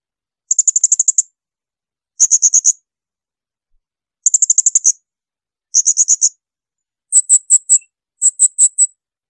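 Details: Blue-crowned hanging parrot, recorded as training sound for other songbirds, giving shrill bursts: six rapid volleys of high piercing notes, the last two slower and more spaced, with quiet pauses between.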